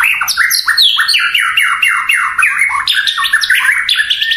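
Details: White-rumped shama delivering a continuous stream of fast downslurred whistled notes, loud and varied, with little background noise.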